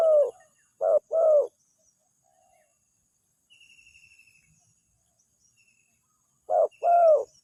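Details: Spotted dove lure call, used to draw wild doves that answer it. A short note is followed by a longer coo, and the pair is heard a few times with long gaps between. Faint high insect-like trills sound in the background.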